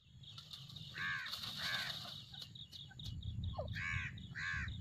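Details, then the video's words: Grey francolin breeding pair, five years old and said to breed three times a season, giving a few harsh, ringing notes in spaced bursts over a steady low rumble of background noise. "Teetar ki awaz teetar voice"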